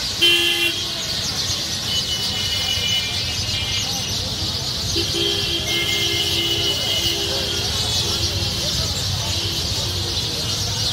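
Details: A dense, continuous wall of high chirping from a huge roost of thousands of sparrows, with traffic hum and car horns tooting underneath.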